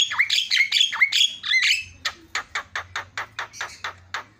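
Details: Javan myna lure to make other mynas call: a quick string of slurred, dipping whistled notes followed by about ten evenly spaced harsh clicks, roughly four per second, over a low hum.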